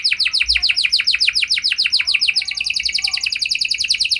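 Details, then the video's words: Canary song used to get other canaries singing back, made of rapid, evenly repeated downward-sweeping chirps roughly three to four per second, shifting midway to a tighter, higher trill. "Kenari Gacor Lagu Istimewa! Langsung Nyaut Kenari Mana Saja Dengan Suara Burung Kenari Ini"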